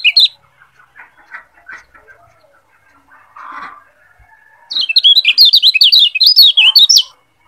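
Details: Tutor song of a Lombok yellow white-eye, known locally as kecial kuning, for training other birds toward ngeplong singing. Scattered short chirps and a soft buzzy note, then over two seconds of loud, fast, high, warbling twitters before silence.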